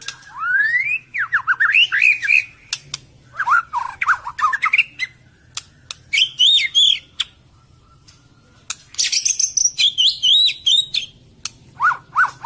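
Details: White-rumped shama song used as a lure: rich whistled phrases, rising and falling, mixed with sharp clicks and high fast trills, delivered in bursts with short pauses.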